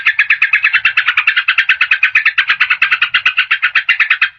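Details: Lure recording of a yellow-vented bulbul, meant for trapping wild birds or prompting a reluctant caged bird to sing: a long, unbroken stream of quick chattering notes at an even pace with no pauses.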